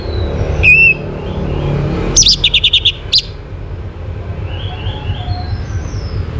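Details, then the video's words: Orange-headed thrush singing, used as a lure to get other birds to sing: a short whistled note, then a burst of rapid sharp high notes, over a steady low rumbling background. "KICAUAN ANIS MERAH UNTUK PANCINGAN AGAR BURUNG IKUT BERKICAU"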